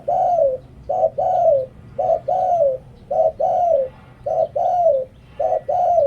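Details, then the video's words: Thai spotted dove singing Liw Tan decoy song for luring wild doves. It gives a steady rhythm of one short coo followed by a long, slurred, downward coo, repeated about once a second. "หลิ่วตัน เสียงต่อนกเขาเสียงชัด"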